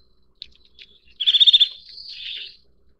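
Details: Eurasian nuthatch (Sitta europaea) calling: a few faint high ticks, then a rapid pulsed trill followed by a drawn-out buzzy, slightly rising note, in quiet surroundings.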